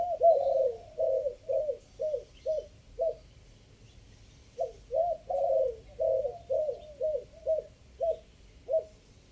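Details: Spotted dove from Chiang Mai, Thailand, recorded for luring in the three-kuk style, section five: two runs of coos, each starting with longer warbled notes and ending in evenly spaced short coos, a silent gap between them.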